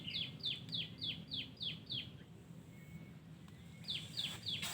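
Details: Wild yellow-vented bulbul singing: a rapid run of about seven bright, downslurred chirps, then a short pause and another quick burst of similar notes, over a low steady background hum.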